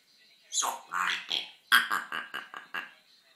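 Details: Pet female African grey parrot indoors mimicking human speech, including swear words and a 'wassup' phrase: a rapid run of about eight clipped, voice-like syllables with buzzy harmonics, an opening drawn-out phrase followed by quick staccato bursts.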